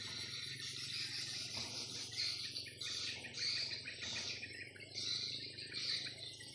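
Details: Swiftlets playing in flight above a swiftlet house one afternoon. Bursts of harsh, buzzy twittering come roughly every second, over a low mechanical hum and a constant thin high whine.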